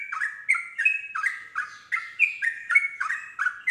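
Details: Kept yellow-vented bulbul singing to provoke other bulbuls to answer: a steady run of short, bubbly warbled notes, each dropping then rising, repeated about three times a second without a break.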